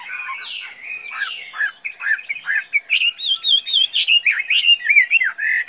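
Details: A tame pet Chinese hwamei that can be let out without flying away sings a varied string of rich whistled and buzzy notes, building into rapid wavering phrases repeated several times a second.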